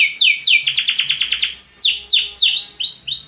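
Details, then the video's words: Belgian canary, its song used to stimulate other birds, delivering a rapid run of high falling notes that slows into longer, spaced downward-swooping whistles, followed by high short chips. "CANTO DO CANARIO BELGA PRA ANIMAR SEUS PASSAROS"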